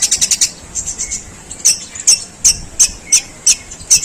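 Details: Long-tailed shrike imitating sparrow calls, long and harsh: a quick stutter of scratchy high notes, a softer pause, then loud separate chirps roughly every third of a second.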